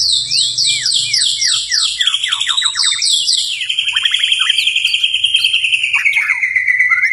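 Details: White-rumped shama (murai batu), gacor night song: rapid descending high whistled notes, then a long, sustained trilled whistle sliding slowly lower.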